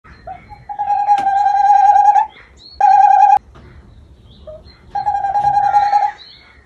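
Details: A rescued tawny owl (Strix aluco) flirting in courtship gives three drawn-out, mid-pitched hoots with a faint quaver, each about one to one and a half seconds long, separated by short pauses.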